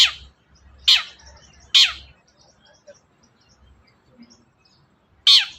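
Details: Long-tailed shrike, played as a lure for a reluctant shrike: three strong harsh descending notes in quick succession, a pause of several seconds, then one more, over faint background hum.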